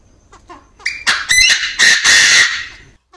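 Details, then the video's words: Male Chinese francolin crowing inside an aviary, a female clucking nearby: a few faint notes lead into a loud, coarse, ringing phrase of several bursts that fades after about two seconds. "Tiếng Chim Đa Đa Gáy, Đa Đa Mái Tục Trong Aviary Mới Nhất, The sound of the partridge crowing"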